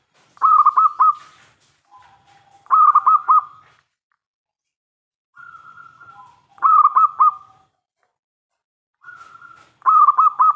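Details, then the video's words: Loud-voiced local zebra dove song meant to provoke answering calls: four strong phrases of three or four fast rolling coos, with faint, flat drawn-out notes between them. "PERKUTUT LOKAL GACOR suara besar - MENGUNDANG BUNYI SEMUA JENIS BURUNG PERKUTUT (PASTI NYAUT)"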